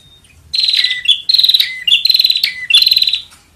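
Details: Bar-winged prinia calling, a recording meant for luring birds: four rhythmic bursts of fast, rattling buzzy notes, each ending in a short lower slurred note, repeated a little over once per second.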